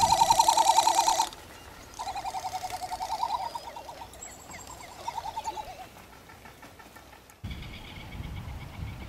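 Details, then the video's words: Great frigatebird of subspecies ridgwayi on Genovesa, Galápagos, Ecuador, in May: loud rapid warbling trills in quick pulsed bursts that fade into quieter wavering sequences, followed by a sudden break and a low rumble. "Frégate du Pacifique (Fregata minor ridgwayi) Great Frigatebird"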